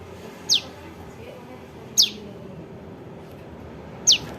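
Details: Young bar-winged prinia giving lure calls used in trapping: three crisp, high downward-sweeping chips at intervals of one and a half to two seconds, with low background noise.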